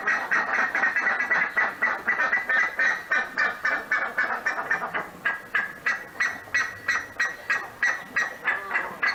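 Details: Buff-necked ibis in the Pantanal calling with a long series of loud, harsh, trumpeting honks, about three to four per second, dense at first and then more evenly spaced.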